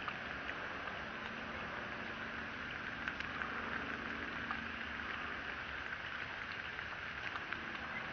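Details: Steady hiss like rain on a surface, with faint scattered ticks and a low hum, and no animal voice.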